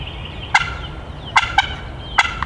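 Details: A male wild turkey gobbling hard from the woods a couple hundred yards off and getting closer, gobbling the whole way in: four short, rattling bursts in under two seconds, each with a ringing tail, over a low, steady background rumble.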